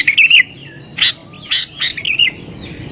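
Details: Agitated sooty-headed bulbul song meant to draw in wild birds and set other bulbuls singing: a quick bubbly whistled phrase, then three or four short chattering bursts spaced about half a second apart.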